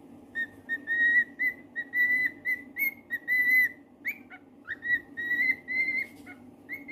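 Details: Pet cockatiel whistling a fast, continuous series of short notes with a few upward-sweeping slurs, over a steady low background hum.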